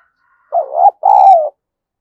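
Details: Spotted dove fight-provoking call used with a decoy bird: a quavering short coo and a longer steady falling coo, with a faint high thin whistle during the second note.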